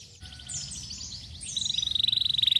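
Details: Canary singing: a few quick high notes sliding downward, then a fast, even, rolling trill held on one high pitch until the end.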